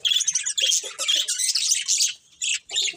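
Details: Short burst of budgerigar chirping: sharp squeaky warbles and whistled notes in rapid phrases, ending in two brief separate calls.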